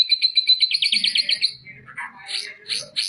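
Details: Tutor song of an oriental white-eye for training other birds: a rapid, high, rattling trill of repeated notes lasting over a second, then several scratchy chattering phrases.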